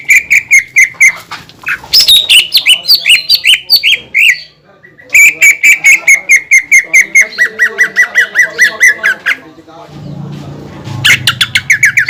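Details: Greater green leafbird in a cage, singing to make other leafbirds sing: long rapid trains of sharp chirps and varied whistled notes, a brief silence, more fast chirping, then a low murmur and a final burst.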